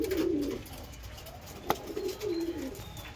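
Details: A young domestic pigeon showing anger in hot weather gives low, throaty grumbling coos in short bursts, with a sharp click partway through, in a small indoor room.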